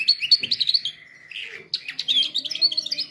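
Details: Canary singing, recorded for training canaries; fast high twittering phrases and trills, a short pause, then more varied chirps and rolling notes.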